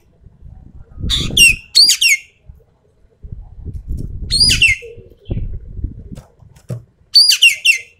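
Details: Javan pied starling giving full tembakan song, harsh chattering bursts of two or three sharp, falling, grating notes at intervals of about three seconds, over low rumbling and handling noise.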